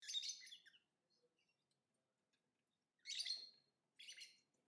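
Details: Lovebird singing and chirping: a burst of harsh, buzzy chirps, a near-silent gap, then two more short, shrill chirp bursts; no other sounds.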